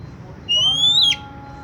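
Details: Oriental magpie-robin song used to prompt another magpie-robin to sing: a single pure whistled note rising slowly and ending in a quick sharp flick, over low steady background hum.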